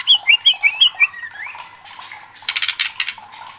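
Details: Agitated white-rumped shama, a caged contest bird, giving a quick series of short whistled notes, then a fainter pause and harsh buzzy chatter.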